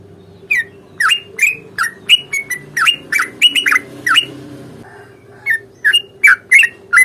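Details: Fighting song of a sooty-headed bulbul, long ropel style, played to make birds answer; quick chattering notes in a busy burst, a brief pause with a faint lower murmur, then more rising chirps, hum in the background.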